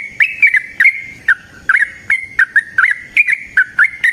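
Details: Wild yellow-vented bulbul in a forest setting, singing a long rapid 'ropel' song: bubbly, liquid notes that dip and rise, given in quick bursts about every quarter to half second with short gaps.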